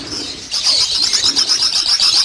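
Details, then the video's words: Massed lovebirds on a farm with 800 breeding pairs: after a quieter half-second, a loud wall of shrill, overlapping chirps and twitters pulses on without pause. "Lovebird 800 Breeding Pairs Farm"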